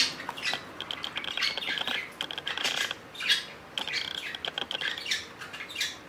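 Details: A pet budgerigar, one of a group that includes birds that turned four on 10 June, chatters in scratchy, buzzy bursts mixed with short clicks and squeaks: a rapid, uneven warble with brief pauses.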